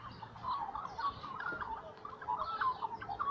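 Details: Morning singing of little magpies, a soft continuous babble of warbled, fluting notes that slide up and down, quiet and steady throughout, with no pauses.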